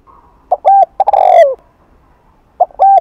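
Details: Spotted dove in the afternoon, Hạp Bổi voice style meant to excite other doves: deep soft coos, a quick double note followed by a longer, falling, slightly rough coo, then the pattern begins again.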